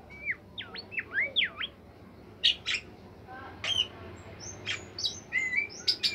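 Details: Bimoli bird singing melodiously as a training recording: a rapid chain of clear up-and-down whistles, then sparse sharp buzzy notes and high thin whistles over faint background hum.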